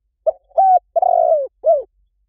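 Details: Spotted dove cooing for luring, said to bring birds quickly: one compact four-note phrase of low mellow coos, the third longest and sliding downward, the last short and drooping, with nothing else audible.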